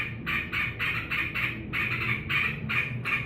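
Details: Caged sooty-headed bulbul, happily greeting its keeper who has just come home from work, gives harsh, buzzy chattering bursts about three per second over a low background hum.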